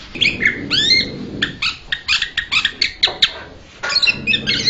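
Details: Blue-winged leafbird giving a varied burst of calls: rising and falling whistled notes mixed with dense, rapid clicking chips in a fast chatter. A low rumbling background is heard at the start and end.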